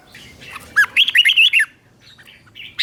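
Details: Red-whiskered bulbul, a caged bird, song used as training audio for young captive birds: a short burst of rich warbled, looping notes after a faint opening phrase, then quiet softer notes and a final chirp.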